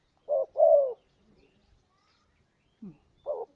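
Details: Spotted dove, known locally as tekukur or derkuku, in a lure recording used to attract birds: a short low coo followed by a longer, slightly falling coo, then after a silent gap another short-long coo pair.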